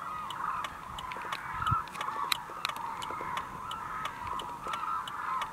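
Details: A large flock of hooded cranes, including parents with young, at Izumi, Kagoshima, Japan, on 16 November 2019 keeps up a dense chorus of overlapping trumpeting calls, with sharp clicks scattered throughout.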